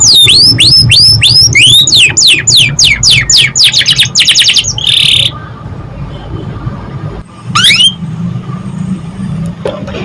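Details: Canary song used as a training recording to stimulate young canaries to sing: a fast series of high, sharply falling whistled notes repeated almost four times a second, then a brief buzzy note, silence and one last falling note over a low hum.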